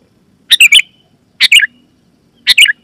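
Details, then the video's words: Loud, clear Sooty-headed bulbul call meant to draw wild birds and prompt other bulbuls to answer: three sharp chattering phrases, each of three quick bright notes, about one second apart. "Suara Burung KUTILANG GACOR,Super Ampuh Keras, Lantang dan Jernih, Burung Kutilang Lain Auto Gacor"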